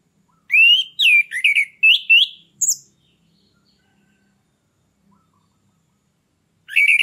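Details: Loud orange-headed thrush song, used as a lure to stir a stalled captive bird into breeding condition: a run of rising and falling chirped notes, one high note, a pause, then a new phrase.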